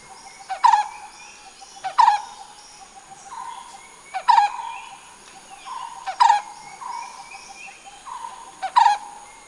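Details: A brown-headed barbet (Psilopogon zeylanicus) calls with low, throaty, rolling notes, repeated roughly every two seconds, over a steady high insect drone.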